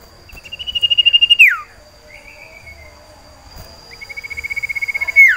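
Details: Common iora (sirtu) in a cage, in breeding condition and calling for a female: two long pulsed trills steady in pitch, each closing with a steep downward slur, with a softer drawn whistle between them.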